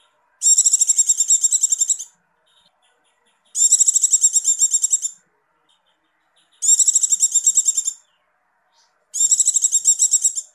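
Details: 'Ngecir' call of a female Javan white-eye in breeding condition, used to stir males; four high, rapid chattering trills of about one and a half seconds, repeating roughly every three seconds in quiet surroundings.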